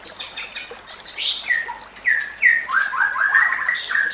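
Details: White-rumped shama (murai batu) song used to train other shamas: descending whistled slurs and rapid rising notes over soft background hiss.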